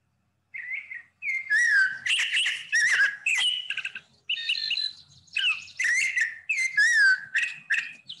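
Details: Mockingbird (cenzontle) singing in Guatemala at mid-year, the season when these birds sing a lot while looking for a mate; a rich run of varied whistled and warbled phrases, each quickly switching pitch and tone, some notes repeated.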